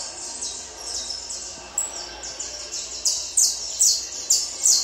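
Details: Peruvian saffron finch song during management for a singing tournament: bright high chirps and downslurred notes repeated rapidly, with louder phrases toward the end, over faint background noise.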